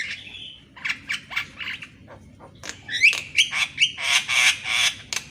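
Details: Javan myna singing actively in the morning, used as a training recording for mynas that rarely sing; a long wavering whistle, then rapid harsh squawks, buzzy notes and sharp upslurred whistles in quick succession.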